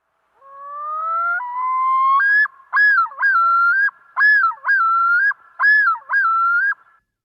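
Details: Common Loon yodel, a call given only by males, on a New Hampshire lake in summer: two long rising wails, then five looping two-note phrases repeated about once a second, clear and ringing, with nothing else heard.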